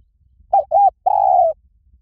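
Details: Spotted dove coo used for luring: two brief hollow notes then one long, steady, low croon lasting about half a second, clean and unaccompanied.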